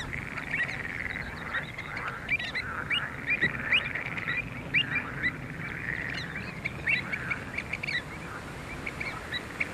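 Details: Pied avocets at Skanör and Falsterbo in June 2015: a dense chorus of short, clipped, piping calls from several birds, overlapping constantly with no steady rhythm, above a low background rumble.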